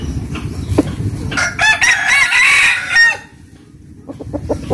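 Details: Morning crowing at a rural home in Vietnam's western region: a rooster's wavering, bending crow of nearly two seconds, framed by scattered clucks before and after.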